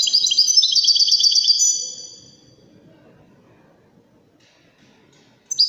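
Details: For training goldfinch chicks and hybrids, a European goldfinch delivers a rapid high twittering trill for under two seconds, then near silence, with a fresh note starting at the very end.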